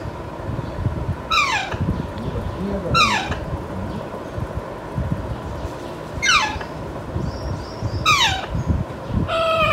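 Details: A 5-month-old pet Alexandrine parakeet that is not yet talking calls from its cage: loud, harsh, downward-sweeping screeches about every two seconds, over a steady low rumble.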